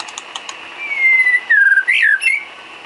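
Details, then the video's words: Filler song (isian) of a White-rumped shama for cage-bird training: a long falling whistle, a lower slurred note, then a sharp upward-swooping whistle and a short rising flourish. "Isian kicau burung murai batu"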